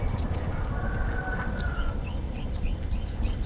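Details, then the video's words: Young untrained sunbird, known locally as kolibri ninja, giving sharp, very high chirps: three quick notes at the start, then single sharp notes about a second apart, over a steady high insect-like buzz. "SUARA BURUNG KOLIBRI NINJA BAKALAN"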